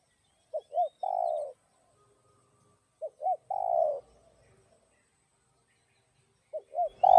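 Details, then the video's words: Spotted dove, called cu gáy, singing the 'giọng đồng' style used to rouse and lure other doves: a three-note phrase of two quick coos and a drawn-out croon, repeated about every three seconds, the last phrase cut off. "Cu Gáy Giọng Đồng Chuẩn GÁY THÚC GÙ Kích Mồi Tập Bổi Ức Chế.Tiếng Cu Kích Trống"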